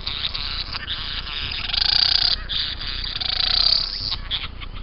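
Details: Young bowerbird giving harsh, rasping, broadband calls in drawn-out bursts that swell louder around two and three and a half seconds, with softer scratchy notes between them.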